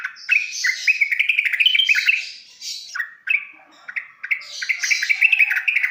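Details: Yellow-vented bulbul song played as training material so that young birds quickly begin singing: lively warbled notes in fast runs, a short pause, then renewed bubbly chatter overlaid with harsher rasping notes.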